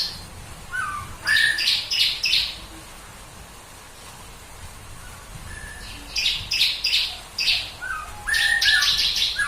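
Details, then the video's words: Bar-winged prinia delivering a "tembakan" burst meant to prompt other birds to sing: two clusters of quick, high, repeated chirps with lower whistled notes, separated by a few quiet seconds of faint background hiss. "Tembakan Ciblek Kristal Buat Burung Lain Ikut Berkicau"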